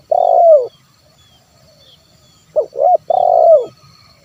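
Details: A 'kuk 1' coo of a spotted dove, played to bring wild birds into calling. A drawn-out throaty coo ends one phrase, then a full phrase follows: two clipped hoots and a long trilled coo that slides downward.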